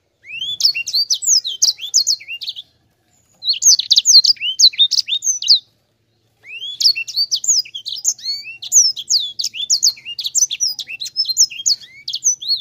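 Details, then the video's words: Sanger singing energetically in three long rolling phrases of rapid, high whistled notes and slurred sweeps, each phrase several seconds long and separated by short silences. "Suara Sanger Gacor Ngerol Enak Rapet"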